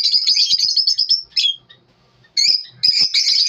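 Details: Lovebirds chirping in the morning: a fast twittering run, a short downward squeak, near silence, then two more bursts of high chatter.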